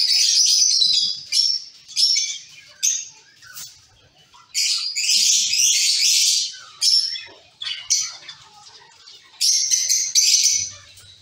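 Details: Caged zebra finch colony: an irregular series of short and longer nasal, harsh calls, broken by pauses of a second or more.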